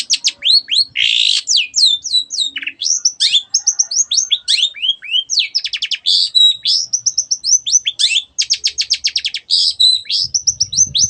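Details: Shrike (cendet) in full, loud song meant to provoke silent birds to sing: a fast, continuous jumble of varied high whistles, sweeps and rapid trills, with a brief low thump near the end.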